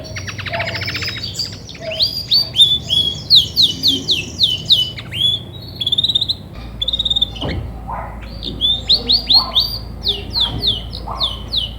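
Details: Grey and white female Belgian canary, singing a lot as she becomes ready to brood: rapid high trills and repeated sweeping chirps in quick phrases, with a brief pause midway before the song resumes.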